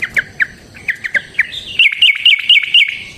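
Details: Sooty-headed bulbul in lively fighting-style song used to lure other bulbuls into replying: spaced short falling whistled notes, then a tight run of bright, higher looping phrases repeated about every quarter second.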